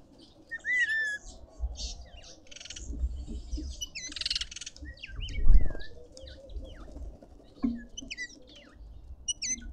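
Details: Feeding red-winged starling in a Pretoria garden, South Africa, gives loud, clear, slurred whistles, some rising and some dipping, spaced between softer chirps and a brief harsh rasp, over a quiet low background.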